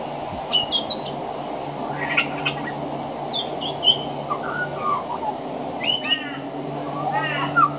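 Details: Male pied butcherbird on a veranda, song laced with imitations of other Australian birds: varied whistles, chattering buzzy bursts and sliding notes, with a faint steady hum behind.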